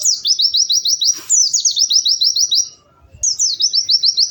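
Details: A white-eye, locally pleci, sings lively high trills of quick sharply dropping notes, repeated in two long phrases separated by a short silence, with a brief rustle in the middle.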